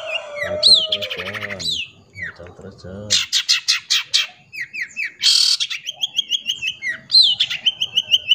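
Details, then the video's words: Varied song of a long-tailed shrike, full of clear fill phrases, offered for training young birds and coaxing shrikes to sing: low harmonic warbles and whistles give way to rapid chattering bursts, a buzzy rasp, then sharp repeated upward-flicking notes. "Pancingan Cendet Full Isian Jernih Cocok Untuk Masteran Burung Cendet Anakan"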